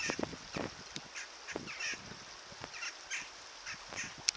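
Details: Water rail at the Bytomka river, Zabrze, 1 February 2015: short, harsh squealing notes, scattered irregularly about every half second, over a soft background hiss.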